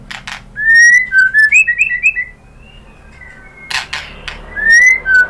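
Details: Lure song of the white-rumped shama (murai batu), used to provoke other shamas to sing back: mellow fluting whistles in a rising and falling sequence, a quiet pause, then loud clicks and a final pair of sweeping whistles.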